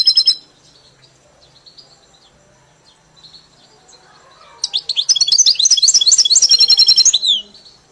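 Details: Trained European goldfinch song: a few brief high twitters and long quiet stretches, then a loud two-and-a-half-second burst of rapid tinkling, rolling notes and repeated chips before fading.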